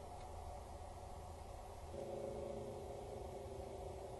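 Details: Steady low rumble and engine-like hum with a faint tonal drone rising after two seconds; no animal voice.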